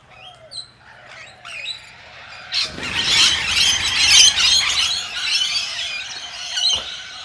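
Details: Rainbow lorikeets, filmed in slow motion in a panic flight from a vulnerable ground feeding spot after a distress signal. A few faint chirps come first, then a sudden dense wash of harsh, high screeching from the scattering flock.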